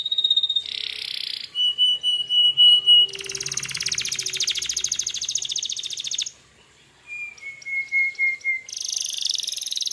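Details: Canary in full 'gacor' song, meant to provoke other canaries into replying; long steady whistled tones alternate with dense buzzy trills and quick repeated notes, a brief pause near the end before rolling trills resume.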